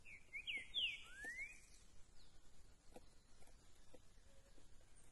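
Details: A green-winged saltator, recorded on 13 September, gives a quick phrase of four rich, slurred whistles, some rising and some falling, in about a second, then falls quiet over faint background noise.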